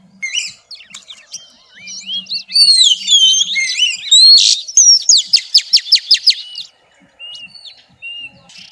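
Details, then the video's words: Oriental magpie-robin hen singing xùy to stimulate males: soft opening chirps build into loud looping whistles, then a run of about ten sharp, rapid, evenly spaced notes before fading. "tiếng choè than mái xùy hót kích trống cực chuẩn"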